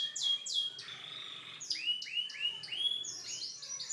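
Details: Canary song of repeated downward-sweeping whistles, a buzzy trill, then rising whistled notes in quick succession.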